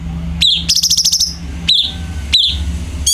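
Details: Light-vented bulbul singing as a tutor for captive birds: a high, falling note, then a rapid buzzy rattle of about ten pulses, then two more separated downward-sweeping notes over a faint low hum.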